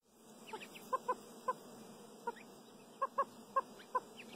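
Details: Chukar partridge (Alectoris chukar), clucking calls.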